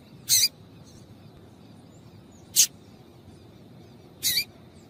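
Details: A female Double-collared Seedeater calls to stimulate males to sing, giving three short, sharp, high chips about two seconds apart over a faint steady hiss.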